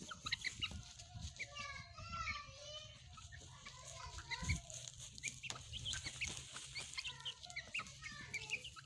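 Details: Hens and young chicks kept as pets, playing: dense chorus of wavering, trilled chick peeps and lower hen clucks repeating throughout, over a faint low hum and one soft thump midway.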